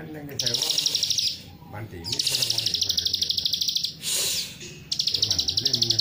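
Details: Plain prinia lure song in the 'nembak rapet' style for provoking other prinias: short bursts of quickly repeated, buzzy high-pitched notes separated by gaps, alongside a faint male voice.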